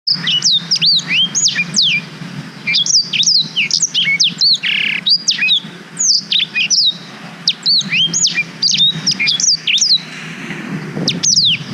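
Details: Black-throated canary song, recorded on a GoPro Hero 5 for training young canaries: fast run of clear whistled notes, many sharply falling or rising slurs, delivered in continuous bursts with brief pauses, low hum beneath.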